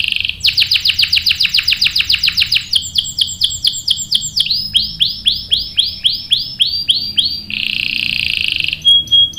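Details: Canary lure song meant to make other canaries join in, with a long roll: a rapid series of sweeping whistled notes, stepping through several tours at different speeds, ending in a buzzy trill and a thin tone.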